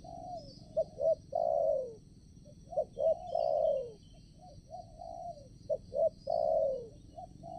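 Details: Spotted dove, a decoy bird luring wild doves for trapping at a new location, giving three repeated cooing phrases: quick paired hoots that lead into a long, sliding, downward coo. Steady insect buzzing runs high in the background.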